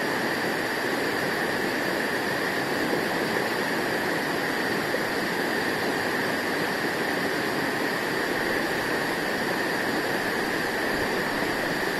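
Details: Steady broadband hiss like rushing water or distant traffic, with no animal calls.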